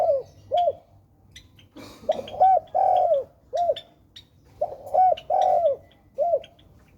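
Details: Spotted dove, called tekukur, cooing twice. Each phrase runs as short arched notes into a long falling coo, closing with a brief final note, while other birds chirp faintly behind.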